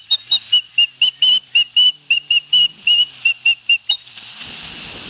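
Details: Ospreys at a Barnegat Light, New Jersey nest on 9 September 2021, with the father bringing fish to two chicks. Live-cam audio gives a string of uneven, sharp whistled notes, then a rush of broad hissing noise.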